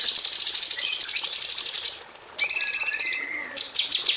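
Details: Rapid 'tembakan rapat' song of a female cucak cungkok bulbul in an aviary, a tutor bird for magpie robins: a fast run of thin high chirps, a short gap, a buzzy rattling trill, then more chirps.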